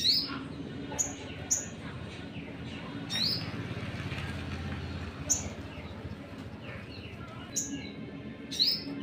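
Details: Sunbird used as a lure to rile other birds, giving scattered high, thin whistled notes with sharp downward slurs every second or so against a steady low rumble, possibly traffic.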